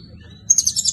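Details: Blue-crowned hanging parrot in lively song with cililin-style filling. A thin high whistle gives way to a quick burst of sharp, squeaky, high-pitched chirps against a low background hum.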